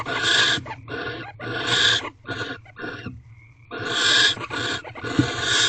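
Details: Mating barn owls in a nest box before dawn, 5:19 am, 9 March 2023: rasping, hissy screeches come in bursts of about half a second to a second, with brief gaps and a faint thin tone during one pause.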